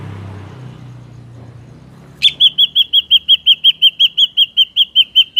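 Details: Ashy drongo in a natural recording meant as a lure for trapping: after a low rumble, a fast, even series of about twenty high, sharp whistled notes, roughly three per second, rings out clearly.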